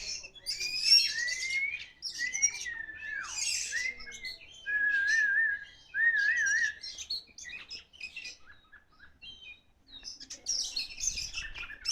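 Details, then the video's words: Oriental magpie-robin of the Kacer Poci type, let out and still singing vigorously: a varied medley of sweeping whistles, sharp chips and quavering trills, then a man speaks briefly. "Kacer Poci Mantap di Lepas Masih Gacor"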